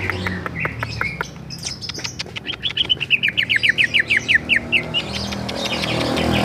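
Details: Greater green leafbird (cucak ijo), Bali type, giving a rolling 'ngerol' song: a few sharp chirps, then a fast series of about fifteen evenly spaced, slurred whistled notes. A low hum runs underneath.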